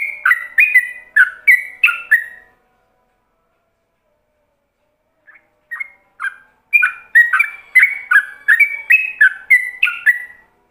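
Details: A burst of bubbly whistled ropelan phrases from a yellow-vented bulbul, recorded as a model for other bulbuls, then a pause of several seconds before the bird resumes with a longer rapid run.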